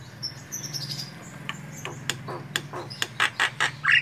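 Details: White-eyed black-winged myna singing in full variation: scattered sharp chirps and clicks building into loud, rapid, harsh squawky notes near the end, over a constant low hum.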